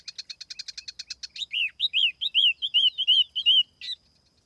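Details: Tiểu mi laughingthrush lure song without background noise: a quick train of about a dozen short clipped notes, then a series of loud rich slurred whistles, ending with one sharp note.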